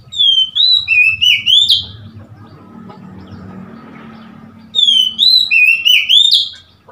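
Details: Oriental magpie-robin recorded 3 March 2021: a sequence of five clear, slurred whistles, then a few seconds of low background rumble, then the same lively whistled phrase again.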